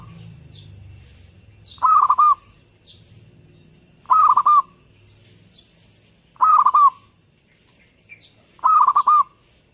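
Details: Perkutut, the zebra dove, singing actively: four soft stuttered coo phrases, each of several quick notes at an even pitch, spaced about every 2.3 seconds, with faint high chirping from other birds between them.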